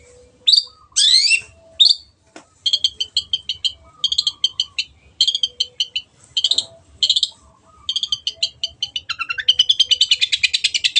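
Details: Long-tailed shrike singing a tutor song: a few scratchy notes, then long stuttering series of quick chattering clicks in groups, ending with a dense rapid trill.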